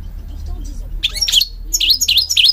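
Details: Goldfinch from Morocco giving short bright song phrases: a quick twittered burst followed by three repeated down-up swooping whistled notes, over a faint low hum.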